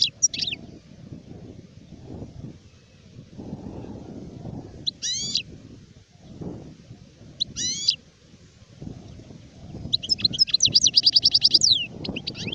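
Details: Adult European goldfinch, 2019: scattered single sharp chirps separated by pauses over low background noise, ending in a fast rattling run of repeated high notes.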